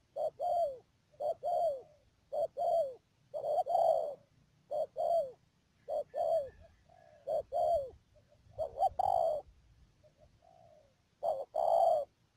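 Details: Trapping decoy spotted dove at Mương Điều, Đầm Dơi, Cà Mau, Vietnam, 12 March 2019, giving repeated short-then-long descending coo pairs with a brief pause near the end, and a few soft notes between calls.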